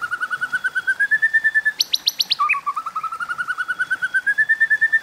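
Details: White-rumped shama singing competitively in the 'kéo thuốc lào' style: a long, even rattle of quick repeated mid-pitched notes, about three per second, broken by five sharp high pips before the rapid series resumes and climbs gently.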